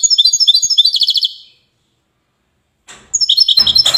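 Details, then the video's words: European goldfinch, called widani, recorded in Safi, Morocco: quick high twittering trill that fades out, silence, then a brief rustle and a new burst of sharp ringing notes. "حسون ويداني"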